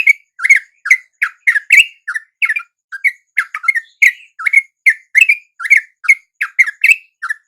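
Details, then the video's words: Yellow-vented bulbuls, wild and drawn in at dawn by a lure, calling along: quick, bright, rather squeaky chirps follow one another at an even brisk pace, some upslurred, some falling. "RATA-RATA TRUCUK macet LANGSUNG NYAMBER dan IKUT BUNYI dengan pikat TRUCUK shubuh ini"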